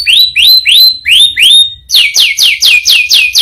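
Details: Canary singing: five rising whistled notes, each sliding upward and holding, then a run of quicker falling notes repeated about four times a second.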